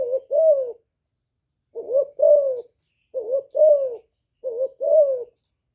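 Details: Calling coos of a young spotted dove in the hạp bổi voice, a trained decoy bird that stirs wild doves; four low two-part phrases, a quick wavering note then a drawn-out falling one, with clean pauses between.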